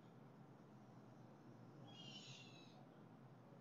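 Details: Blue jay (Cyanocitta cristata) recorded on July 7, 2020; a single harsh, raspy, buzzy call under a second long, rising out of a steady low rumbling background.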